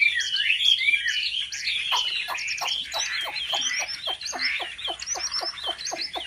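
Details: Competitive song of a Chinese hwamei trained at home: loud, fluid, slurred whistles sweeping up and down, then a steady series of crisp clicking strokes under varied chirped notes.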